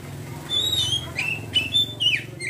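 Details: Oriental magpie-robin in ngeriwik song, a brief whistled note, then a few sharp up-and-down slurs, set against a constant low droning hum.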